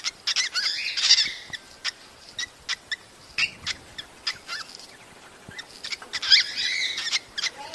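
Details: Cockatiel calls for stimulating mating: two loud harmonic call bursts about five seconds apart, with many quick clicks and soft chatter throughout.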